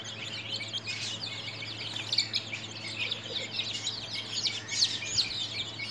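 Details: Flock of baby chickens at 13 days old, peeping in a busy stream of high, short, falling chirps, some louder cheeps standing out, with a faint hum beneath.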